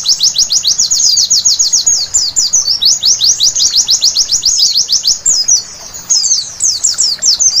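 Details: Nighttime white-eye song meant as therapy to make birds sing: streams of fast, thin, high-pitched chirps that slur downward, interrupted by short tangled twitters and a brief lull.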